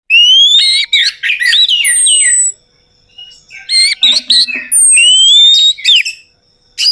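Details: Orange-headed thrush song used as a lure to make a silent bird sing: rapid varied whistled phrases with looping notes around mid-high pitch, long thin rising whistles, and buzzy bursts, broken by short pauses.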